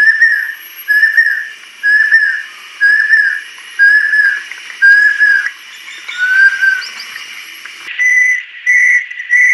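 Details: Song of an adult female banded kingfisher, made of steady whistled notes given about once per second, each note slightly falling. Near the end a brief softer warble comes before a few higher, sharper whistles.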